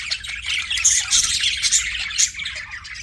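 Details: Pet budgerigars in a continuous noisy chatter of grating squawks and quick chirps, several birds overlapping densely for the whole stretch.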